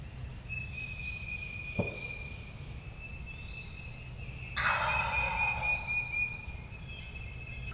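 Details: Gobbler, a wild turkey, heard during opening day of Tennessee's 2023 spring hunting season. A sharp click comes early, then a rolling, rapid gobble erupts past the midpoint for about a second and a half, backed by a constant high-pitched insect drone.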